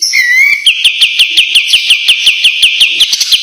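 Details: Tight, sharp white-eye song suited as a training master: a short rising whistle followed by an unbroken string of crisp, evenly spaced buzzy chips, about three each second.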